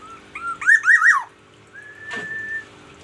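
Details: Black-naped oriole from Aceh, cared for daily, singing in the morning: a rich looping fluty phrase, then a long flat whistle crossed by a brief knock.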